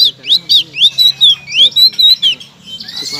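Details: Blue-crowned laughingthrush song, played as a master to make quiet songbirds sing loudly: squeaky, squawking whistled phrases that slide up and down in quick, uneven bursts, ending with a thin rising note.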